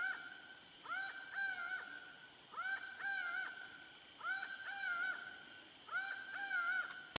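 Laughing falcon giving loud, nasal two-part phrases, a short rising note then a longer level one, repeated about every two seconds over a steady high insect drone.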